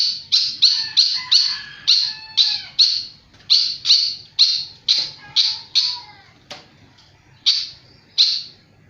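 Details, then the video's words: Flycatcher in full, energetic song, delivering a long series of loud, strident chirps about twice a second, each dropping slightly in pitch, with brief gaps and a few softer lower notes between them. "Burung sikatan sangat gacor"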